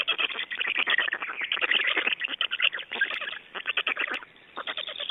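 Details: Black storks in Estonia on 29 May 2012, at nest changeover and feeding: loud, fast, chattering pulsed calls pour out almost unbroken, pause briefly near the end, then resume.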